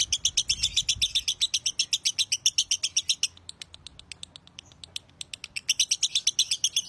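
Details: Champion broty lovebird in long song: a fast, even series of sharp high chirps, roughly four each second, dipping briefly into softer ticks before loud chirping resumes.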